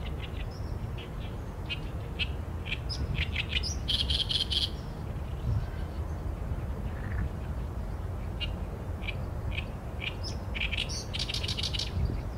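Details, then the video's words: Oriental reed warbler (Acrocephalus orientalis) song in two bouts separated by a quiet gap: rapid grating notes building into loud rasping bursts, with faint steady low-pitched background noise throughout. "개개비 - Acrocephalus orientalis - 大苇莺 - bird song"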